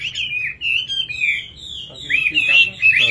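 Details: A nightingale sings a fast, slurred, high warble that flows almost without a break, with faint voices joining toward the end.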